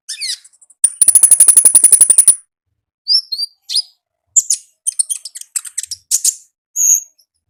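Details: Konin in energetic "ngalas" wild-style song, opening with a fast, steady trill of about fifteen rapid high ticks lasting over a second, followed by scattered sharp chirps and thin whistles.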